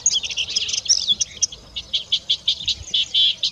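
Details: Melodious warbler (Hippolais polyglotta) singing in spring, newly arrived in the Iberian Peninsula to breed: a fast, near-continuous chattering run of high twittering notes, scratchy trills and brief whistles.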